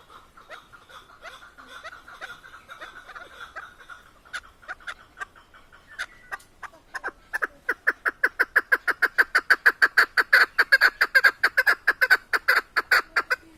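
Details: Chukar partridge (keklik) from Tajikistan starts with quiet, irregular clucks, then builds into a long, rhythmic, accelerating series of loud chuck notes, roughly three per second.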